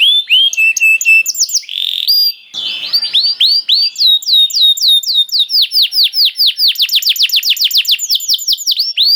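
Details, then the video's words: Canary bait song to encourage other canaries to sing: opening whistled and swept notes, a short noisy break, then steady accelerating rolls of high descending chirps repeated rapidly to the end. "Makes Emotions When Hears the Sound of a Canary One, The Most Powerful Bait || Voice of Canary"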